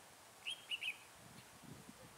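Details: Red-whiskered bulbul singing as a lure for trapping on a cold day, 12 to 15 degrees; one quick burst of three clear warbled notes, then quiet with faint low rustling.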